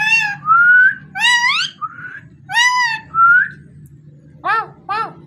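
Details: Pet parrot talking indoors, a run of harmonic, speech-like syllables and bright whistled slurs at an even level, with a steady low hum underneath throughout.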